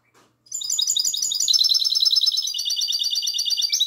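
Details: A goldfinch hybrid sings its classic song at night, 22 March 2020: after a short pause, a loud sustained run of rapid twittering trills, high and buzzy, shifting pitch midway and continuing for over three seconds.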